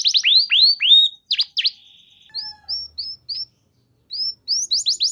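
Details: Canary song played to get other canaries responding and singing: a few falling sweeps, a short held whistle, brief rising chirps separated by pauses, then quick downslurred notes.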